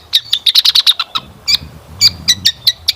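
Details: Long-tailed shrike song for luring birds to sing: a fast run of about eight sharp high chirps, then evenly spaced single chirps roughly every quarter second.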